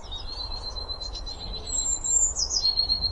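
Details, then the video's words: A Eurasian blue tit (Cyanistes caeruleus) sings a pretty melody of thin, very high drawn-out notes sliding into a brief silvery trill, over a low steady background rumble. "Pretty melody of Blue tit"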